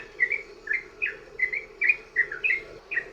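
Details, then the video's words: Rapid 'ropel' song of a sooty-headed bulbul, played to lure other bulbuls into singing: paired liquid whistled notes repeated about every half second in an even, bouncing rhythm, with a low steady hum underneath. "trucukan ROPEL PANJANG buat pancingan burung trucukan agar bunyi"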